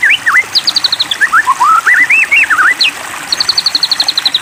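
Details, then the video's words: Shama song used to provoke another shama to sing: looping whistled notes, a quick descending high series, mellow rising and falling warbles, then a final rapid string of high repeated notes. "Pancingan Murai Batu !! Terbukti Ampuh Memancing EMOSI Murai Batu Agar Bunyi Gacor !!"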